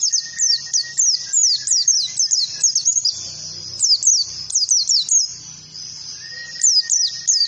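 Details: Bright, high-pitched oriental white-eye song meant to prompt other birds to learn ngalas: dense streams of downward-slurred whistles, pausing briefly mid-phrase before resuming, with a faint steady tone and low murmur beneath.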